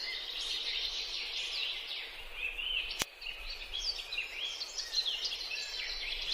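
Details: Bay-headed tanager in Bogor, Indonesia, giving a busy stream of thin, high chirps and twitters, several overlapping, with one sharp click partway through.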